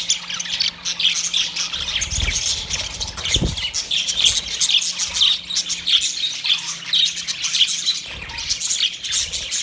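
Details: Lively budgerigar chatter as one calls another budgie: constant high twittering and squeaky warbles with a low hum and a few soft thumps in the background.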